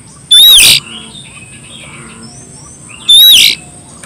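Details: Oriental magpie-robin calling a rival in its loud open ngeplong song: two short, harsh whistled bursts about three seconds apart, each a bright slurred note blurred with rasping noise, over a steady high tone.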